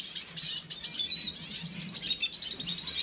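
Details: Red siskin, dated 5 June 2022, producing continuous bright, high twittering with rapid chirps blending into a steady chatter.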